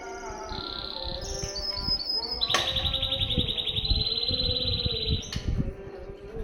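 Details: Canary masteran song recorded in Banda Aceh, Indonesia: a few short high whistled notes, then a long fast even trill lasting almost three seconds, over a constant low droning tone and background clatter.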